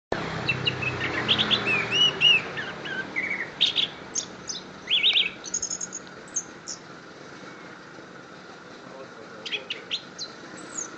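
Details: Orange-headed thrush from Kediri singing a varied run of high warbled and whistled phrases for about six seconds, then only scattered short notes over steady background hiss.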